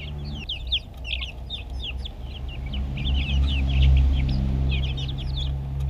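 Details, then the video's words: Young backyard chickens feeding, recorded with a GoPro; many overlapping thin, high peeps tumble rapidly, cheeping almost four times a second, while a low hum and engine-like drone run underneath. "Sound and video of Backyard chicks"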